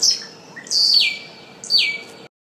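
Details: Scrub Blackbird (Dives warszewiczi), common in southwest Ecuador, giving three loud, high whistled notes, each sliding sharply downward, spaced under a second apart; quiet background.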